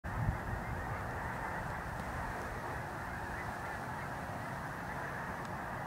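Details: A large mixed flock of Canada geese and snow geese circles a corn field, making a continuous roaring wash of overlapping honks with no pauses.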